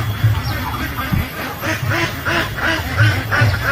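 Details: Ducks with ducklings in a pond, giving a run of harsh, nasal quacks, roughly three per second, irregularly spaced over a low steady hum.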